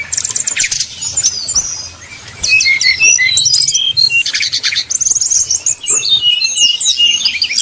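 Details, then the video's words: Sumatran red-crowned leafbird song simulating a bird fighting at a song contest; loud rapid varied chirps, sweeping whistles and buzzy trills, mostly high-pitched, in dense bursts with a brief quieter gap near two seconds. "SIMULASI SUARA SRDC TARUNG DI GANTANGAN"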